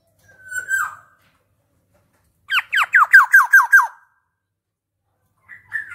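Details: Black-naped oriole: a single slurred nasal note, a pause, then a burst of seven rapid harsh downslurred notes, and another nasal call starting at the end.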